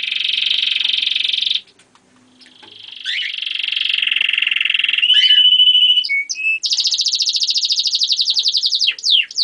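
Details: German crested canary in full song: a sustained rolling trill, a short pause, a lower buzzing tour, brief flat whistles, then a fast high pulsed trill ending in swooping notes.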